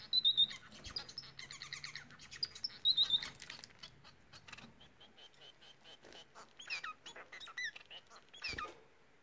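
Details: Singing Bengalese (society) finches give a busy, chattering song of quick high notes, thin whistles and buzzy stacked syllables in loose phrases, louder at the start and fading, with a few soft knocks.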